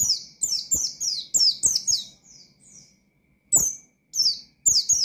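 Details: Oriental white-eye singing vigorously in a forest style to call out and provoke rival birds. High, sharp, descending chirps come in quick bursts, each a rapid twittering slur, with a short pause before further bursts.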